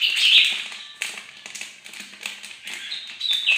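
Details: A bird-of-paradise opens loudly with a shrill squeaky phrase on a bright morning, followed by softer chatter mixed with sharp tapping clicks and another loud squeak at the end.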